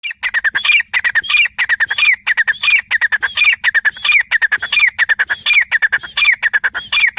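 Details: Grey francolin calling: loud, harsh, rapidly repeated phrases of rising and falling squawky notes with a high whistled peak, about one or two phrases a second, continuing for the whole stretch.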